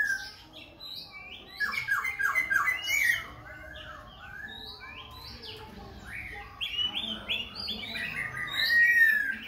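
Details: Khe Sanh laughingthrush, singing with dance and continual voice switching, delivers dense clusters of bright slurred whistles and chattering notes, pausing midway before another loud varied run.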